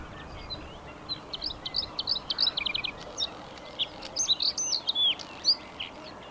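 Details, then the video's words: Male Bluethroat singing from a post in May, during the breeding season. It gives a varied, fast run of sharp chirps, ringing metallic notes and buzzy trills, with short pauses between bursts over a soft steady hiss. "Blauwborst - Bluethroat"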